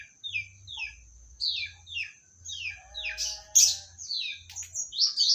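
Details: Medan magpie-robin delivers short, falling whistled phrases, then a harsh burst and scratchy notes before more sweeping whistles. A continuous high-pitched whine and low rumbling hum run underneath.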